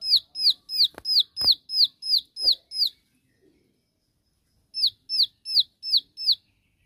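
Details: Rival-calling 'tembakan' song of a Bar-winged prinia: eight fast, bright, descending whistles, a silent gap of nearly two seconds, then six more, with a few clicks early on.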